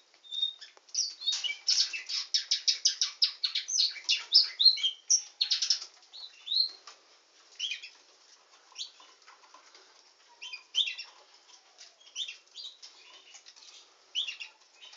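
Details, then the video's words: Canary described as a nightingale singing canary, opening with a long fast run of dry, rattling notes, then thinning into scattered softer chirps and short trilled phrases. "Nightingale singing canary"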